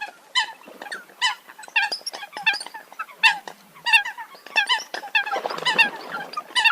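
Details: Eurasian coots calling in a loose group: separate clipped honking notes, crowding into a louder, rougher mass of calls toward the end.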